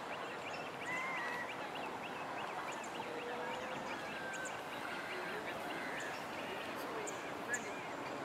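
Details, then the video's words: Single Great Crested Grebe chick from a nest at the east end of a lake island, an only child fed by both parents, begging non-stop: rapid, continuous series of high, thin piping notes, with a few longer whistled tones beneath and steady background hum. "The youngest Great Crested Grebe chick gets noisy"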